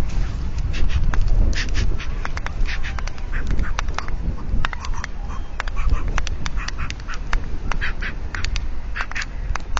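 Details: White stork pair at their nest in Alcalá de Henares, Madrid, Spain, at the start of the season, mating. Rapid dry wooden clicks in irregular runs, over heavy low wind rumble.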